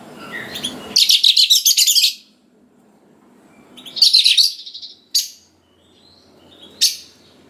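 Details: Oriental magpie-robin song for stimulating young wild-caught magpie-robins to respond: two bursts of rapid buzzy chatter separated by a pause, followed by short sharp single notes.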